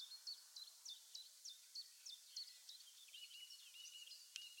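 A Eurasian blackcap gives fast, high chattering notes about three a second, then shifts into a softer, varied warble. The recording is quiet, with faint background hiss.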